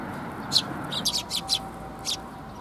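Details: Several sparrows arriving to be fed at a Tenmangu shrine, 24 June 2021; a quick cluster of loud, sharp chirps in the middle of the clip and one more near the end, over faint low background noise.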